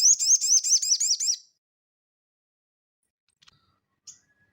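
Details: A crested jay in active ngeleper song, used as training audio for cage birds, gives one quick, loud rattle of about a dozen repeated looped buzzy notes lasting over a second, then near silence with a few faint ticks.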